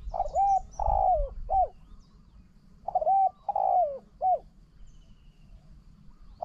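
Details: Cooing of a spotted dove used as a decoy against a strongly cooing wild bird. Two clear phrases of three soft notes, a brief coo, a drawn-out wavering croo and a short closing note. A third phrase begins at the end.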